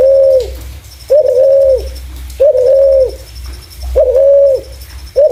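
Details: Lure call of a spotted dove: steady, smooth coos roughly every 1.3 seconds, about five in all, over a faint, high, dashed tone and a low background rumble.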